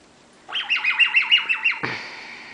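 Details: A pet bare-eyed cockatoo, a 10-month-old female urged to say 'pretty birdie', repeats her 'laser beam' noise indoors: about eight fast, piercing downward-sweeping whistles in a row, ending in a drawn-out, harsh buzzy screech.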